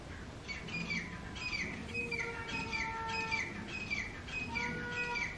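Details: A wild grey francolin pair, male and female, calls loudly in its territory. Harsh, ringing, downward-sweeping notes repeat rapidly throughout, with a steady tonal hum in the background.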